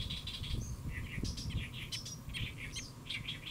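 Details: Great reed warbler singing from a lotus leaf, Saemangeum, Gimje-si, Jeollabuk-do, Korea, midday 1 July 2024; rough, churring phrases alternating lower and higher harsh notes, with steady low-pitched background rumble.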